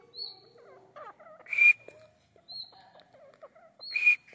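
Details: Grey francolin from a breeding pair in Pakistan, with a loud harsh burst followed by a thin high whistle. The pattern comes twice, about 2.5 seconds apart, over faint scattered chirps and squeaks.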